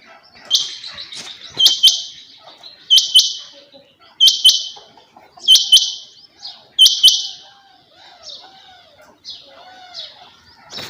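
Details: Female rain quail repeating a buzzy, high two-note call six times, about every 1.3 seconds, with faint twittering of other birds in the background.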